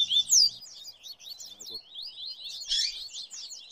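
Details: Rusty-collared seedeater (coleiro), a caged songbird kept for singing, gives a fast, unbroken run of high, thin twitters and slurred chips with no pauses. A faint low hum sits underneath at the start.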